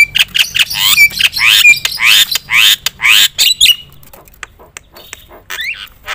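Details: Loud Javan myna (jalak kebo) song used to stir other mynas to sing: a fast series of harsh rasping notes with slurred whistles, then a quieter stretch of scattered clicks and a final rising whistle.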